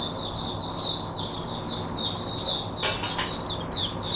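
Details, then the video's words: High-pitched continuous twittering from an oriental white-eye kept as a teacher bird for other white-eyes, 22 January 2022, with fluttering warbled phrases and a brief sharp click near the end. "Mata Puteh Diva Sunday buka sing teacher bird for my other mata putehs"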